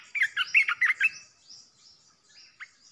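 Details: Red-whiskered bulbul, a fierce decoy bird used to provoke other bulbuls, gives a quick burst of about eight loud, chirpy whistled notes in a single phrase, then faint twitters follow in a quiet background.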